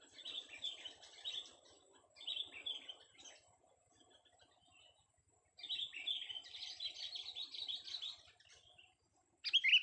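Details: Young sooty-headed bulbul on a vocal test giving rapid, scratchy chattering phrases in several bursts, one long run in the middle, ending with a loud sharp note.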